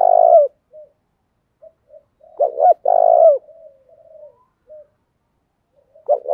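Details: Spotted dove, cooing to prompt wild doves to answer fast: a coo ending at the start, then two short notes and a long rolling coo, quiet murmuring notes, and another phrase beginning near the end.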